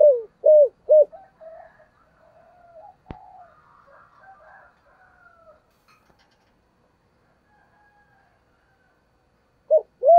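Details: Spotted dove in thổ-style voice, cooing to lure wild birds in: a quick burst of short, hollow, low coos opens, then a long near-silent gap with faint murmuring, and another pair of coos closes.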